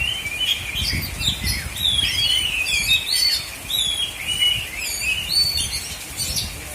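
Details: Oriental magpie-robin (kacer), black-and-white type, at a South Aceh, Indonesia singing contest: series of clear sliding whistles and quick twittering notes in continuous phrases, with background rustle and low noise.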